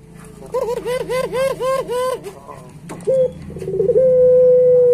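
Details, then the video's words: Barbary dove singing gacor in pelung style, for training pet doves: a run of six arched, bouncing coos, a pause, a short coo and brief trill, then a long steady held note. "Suara Masteran Puter Pelung Gacor Paling Bagus"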